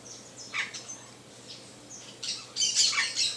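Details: Saffron finch (Sicalis flaveola) giving bright, high chirps and short buzzy phrases, sparse at first and then a denser burst of jumbled notes near the end.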